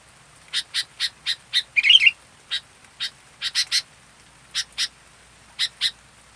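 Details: A fully active local sooty-headed bulbul repeats sharp short chips about every quarter second, slips in one brief gurgling warble, then goes on with spaced single and paired chips.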